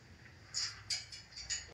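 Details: Blue macaws just after a shower give five short, harsh, scratchy squawks in under two seconds, spaced a few tenths of a second apart, over a quiet indoor background.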